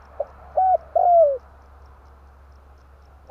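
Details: Spotted dove lure call in the tarik akar style, used for trapping birds: a short soft note, a level hooting coo, then a longer coo sliding downward, over a low steady hum.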